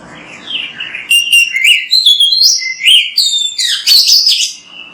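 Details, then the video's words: Energetic Oriental magpie-robin, a tutor song for training other magpie-robins, opens with a soft rising whistle, then a dense string of loud, high, rapidly changing notes and sharp chirps. "MASTERAN BURUNG KACER GACOR BERSUARA MANTAB"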